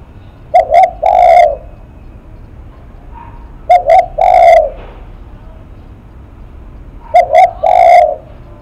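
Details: Spotted dove cooing in the style called "lắc mặt": three phrases about every three and a half seconds, each two short clipped coos then one longer, fuller hoarse coo, low and mellow; quiet background.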